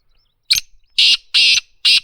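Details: Black francolin calling: a short sharp note followed by three loud, harsh, grating bursts, each about a quarter second long, in a quiet setting.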